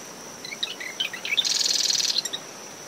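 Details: Single marsh wren song near a nest on a storm-swept dune at SMNWR at dawn. Scattered chattering notes run into a rapid mechanical buzzing trill lasting about half a second, over a steady cricket tone, wind and breaking waves.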